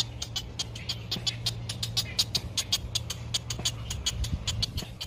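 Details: Begging great egret nestling, sitting in sunshine as it waits to be fed by its mother: a fast run of sharp clicking notes, several per second, with a constant low drone behind.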